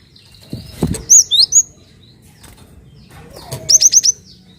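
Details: Cinereous tit (gelatik batu) call used as a lure to prompt other birds to sing: a trio of sharp high whistled notes early on, then a quick run of four bright descending whistles near the end, over faint background rustling.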